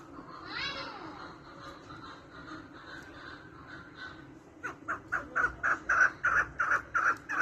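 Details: Chukar partridge from a breeding setup calling: a few scratchy notes at first, then a run of loud, evenly spaced chuk notes, about three each second, growing stronger toward the end.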